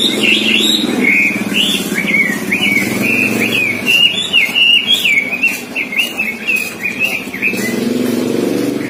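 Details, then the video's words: Robin mastered with many songbirds' songs, delivering a quick, unbroken chain of sweet whistled phrases and chirps that jump up and down in pitch, with a low vehicle rumble behind. "si Robin masteran semua burung kicau"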